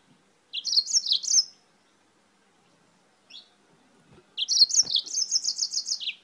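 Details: Spanish-sourced yellow-fronted canary singing a lot: a short high warbled phrase, a pause with one soft note, then a longer phrase of rapid repeated high chirps lasting nearly two seconds.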